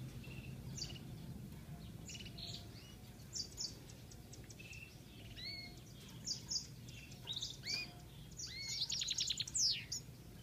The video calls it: European goldfinch singing